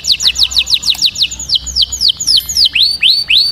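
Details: Canary song used to train chicks to sing: a fast roll of clear descending whistled notes, about eight per second at first, slowing into longer sweeping rising-falling slurs.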